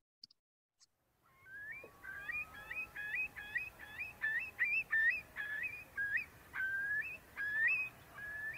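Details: Eurasian curlew in spring breeding season on British meadows and moors, giving clear, rising whistled notes, about one every two-thirds of a second, swelling into a bubbling trill; a few soft clicks come before it.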